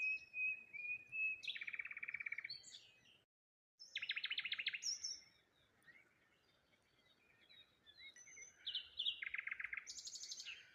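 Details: Wild birds chirping on a morning by the water among rose hips near a lone tree: bright, rapid buzzy trills and short high chirps, in bursts of about a second with brief pauses, over a quiet outdoor background.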